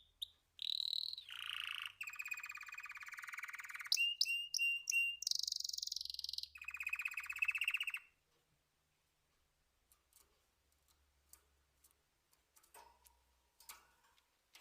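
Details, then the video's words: Canary singing in rapid rolling trills and buzzy sustained notes for about eight seconds, with brief sharp chips between phrases, then near silence with a few faint clicks. "طيور كناري تغريد"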